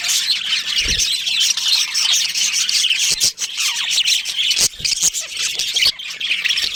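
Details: Budgerigars in a colony, including a breeding pair, keep up a dense, continuous high-pitched chatter of squawky chirps and warbles, broken by a few sharp clicks and knocks.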